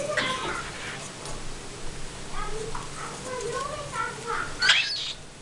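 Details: Hobby-bred cockatiels preening and playing in a small room, with three 5–6-week-old chicks not yet weaned in the background, give soft warbled, wavering chirps and chatter, ending with a sharp scratchy burst near the close.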